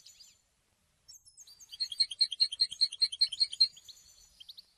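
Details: Goldfinch singing, a song said to announce presence and attract females: a rolling, high twitter of quick chirps lasting about two and a half seconds, fading into a few softer notes.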